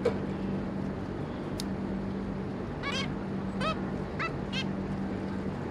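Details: Two adult zebra finches with three juveniles, 26 May 2022, mostly quiet at first, then four evenly spaced nasal, slightly rising calls about half a second apart, over a steady low hum.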